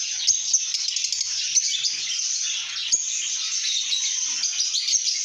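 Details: Happy lovebirds chattering as a group, a steady wall of shrill, rapid chirps and squeaks, broken by brief clicks and sharp ticks throughout.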